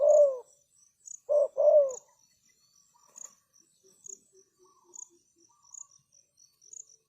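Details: A decoy spotted dove calling to lure wild doves gives one coo, then a pair of short and falling coos. Faint, softer calls follow, with steady high insect chirping behind.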